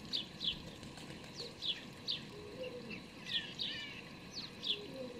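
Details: Hungry house sparrow fledglings being fed by their parents on 12 May 2019 give short, high begging chirps in quick bursts, about two a second, with soft wing flutters and faint background hum.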